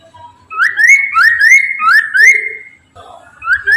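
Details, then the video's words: Chinese hwamei singing as a lure to prompt other hwameis to sing: loud whistled phrase of rapidly repeated rising slurred notes, about five in a row, then a pause and a fresh start. "PANCINGAN POKSAY MANDARIN TERBUKTI AMPUH CEPAT DIRESPON POKMAN LAIN AGAR IKUT BUNYI"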